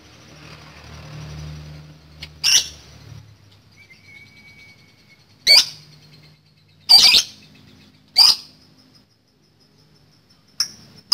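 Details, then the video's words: Lovebird's 'ngekek' chatter aimed at provoking rivals; a few separate harsh, high squawks spaced a second or more apart, with a short thin whistle between them. "PANCINGAN LOVE BIRD CEREWET NGEKEK PANJANG"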